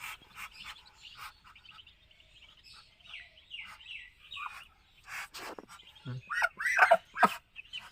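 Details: Muscovy duck chicks on a farm in Kamrup, Assam, India, giving thin high peeps and short downslurred chirps in a loose irregular run, louder clustered calls near the end, with soft thumps and handling noise.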